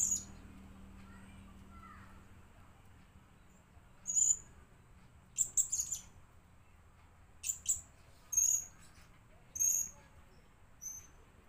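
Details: Lure blue-crowned hanging parrot giving isolated piercing high whistled notes and short scratchy bursts, spaced one to two seconds apart, against faint low hum.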